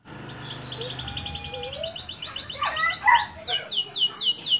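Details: A local canary sings a fast, bright song, described as singing toward a female: rapid high trilled rolls, then looping whistled notes about four per second, with a low hum underneath.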